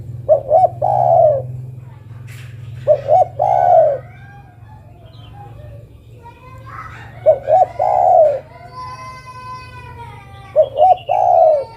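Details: Female spotted dove calling to the male, repeating four phrases of two clipped hoots and a long mellow coo, with other birds chirping and a brief harmonic wail between calls.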